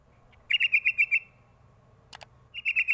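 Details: Sooty-headed bulbul, used as a lure call to get young birds to answer: a quick run of about eight short, bright chirping notes, a brief rasping burst, then another fast series of clear chirps.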